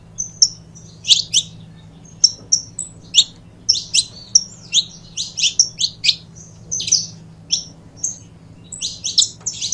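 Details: Pair of saffron finches calling with sharp, high, separate chirps and brief trilled notes spaced about half a second apart, over a faint low electrical hum.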